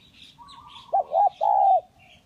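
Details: Spotted dove, kacuk and kampung types, in a lure recording: a short mellow coo, then a longer falling coo, low and hollow, over a faint chirp in the background.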